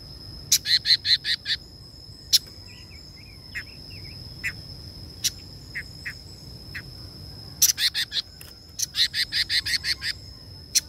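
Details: Female red-billed leiothrix, said to stimulate males, singing in rapid bursts of clipped high chirps. Scattered single notes and a few soft lower twitters fall between the bursts, over a constant high-pitched ringing hum.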